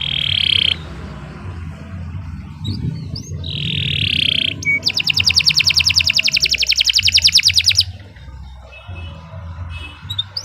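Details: Master canary song meant for training other birds: a harsh buzzy note twice, then a fast, even high trill for about three seconds, with soft chirps and a steady low hum behind.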